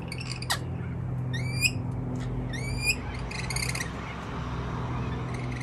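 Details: Wild rainbow lorikeets on a balcony in Melbourne, Australia, giving a few sharp, rising screechy chirps spaced about a second apart over a low background hum.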